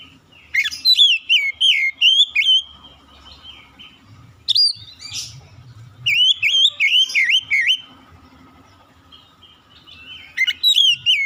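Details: Magpie-robin delivering loud, varied whistled phrases: rapid looping slurs and chirps in three main bursts, separated by short quieter gaps.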